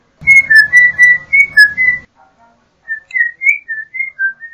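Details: Yellow-backed Oriole (Icterus chrysater) song: a run of clear whistled notes near one pitch, mostly level or gently slurred. A low rumbling background fades midway, then a second, cleaner series of spaced whistles follows.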